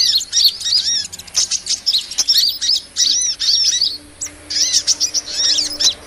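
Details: Excited sunbird ('kolibri') chatter used to lure small birds: sharp, high tweets and curved squeaks delivered in quick half-second bursts, broken by short pauses.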